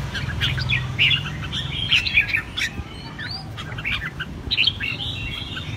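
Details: Red-whiskered bulbul in a cage, fighting song: bright chirped phrases with a quick upslurred whistle, a pause, then another burst of clear notes, over continuous low background noise.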